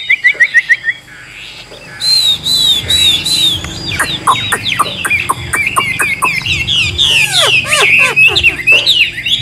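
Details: Wild-caught adult Chinese hwamei with a forest-type voice, flicking its tail while singing: a short run of quick repeated notes, then a loud, rich, fast-changing stream of clear whistles and slurred phrases over faint background murmur.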